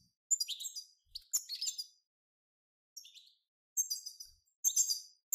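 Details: European goldfinches performing group bitbita, a twittering recording to encourage goldfinches to sing. Short phrases of jingling, metallic chirps and twangy trills arrive in bursts under a second long, separated by brief silences.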